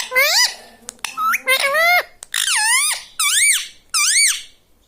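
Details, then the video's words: Parrot talking in a small room, saying "mummy" and "papa": shrill speech-like syllables with curved, rising and falling pitch, delivered roughly every second with clear gaps between. "talking mummy || papa bolta Mithu || bolta Mithu"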